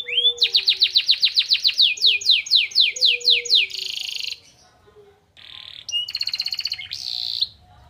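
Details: Canary song laced with pleci (white-eye) material, meant to raise birds' excitement: a rapid series of about a dozen sharp descending slurred notes. A pause follows, then a quick buzzy trill and a bright high phrase.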